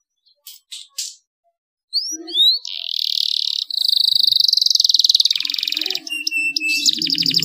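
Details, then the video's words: Canary singing meant to spur other canaries into song: brief chirps and rising whistles, then dense buzzy rolls that run for several seconds, ending in metallic rapid notes with faint low background noise. "cuitan kenari untuk merangsang agar gacor dor"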